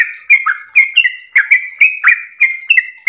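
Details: Yellow-vented bulbul, locally trucukan, singing a long continuous 'ropel' song: rapid run of short whistled notes at a steady mid pitch, with quick downward slurs between them, about one note every half second, no other sounds.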